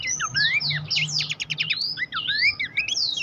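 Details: Horsfield's babbler master song for training competition songbirds: a dense run of rising and falling whistled notes and rapid buzzy trills, overlapping continuously, with a low steady hum underneath.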